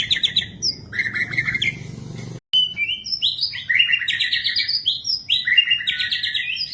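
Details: White-rumped shama song used as training material for captive birds: rich, fast bursts of varied whistled and trilled phrases, mostly high-pitched, broken by a brief silence midway.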